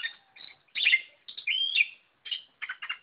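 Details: Oriental magpie-robin in energetic gacor song, a quick run of rich whistles, a long sweet slurred note and scratchy chattering bursts with brief gaps between phrases, no other sounds.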